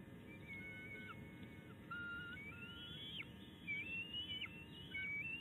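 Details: Bald eagle eaglet on a nest in Illinois, 10 May 2019, calling in apparent discontent after a tiff with its mother: thin, high whistled notes with sliding and rising inflections, in irregular bursts over a steady low hum.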